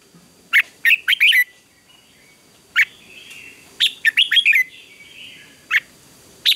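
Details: Red-whiskered bulbul performing contest song in the morning, sung as a training voice: repeated bursts of sharp, quick whistled notes in short phrases, with single isolated notes between them and a faint steady high tone behind.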